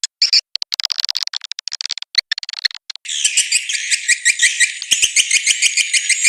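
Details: Swiftlet birahi (mating) lure call to draw in swiftlets: rapid dry clicks and ticks in a stuttering series, then a continuous thick chatter of buzzy, overlapping chirps.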